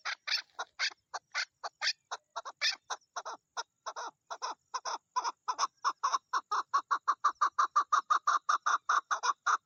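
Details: Chukar partridge, a female in the mating season, gives a long series of hoarse chuk notes. They start uneven and mixed, then speed up into an even, rapid rhythm of loud chuks toward the end.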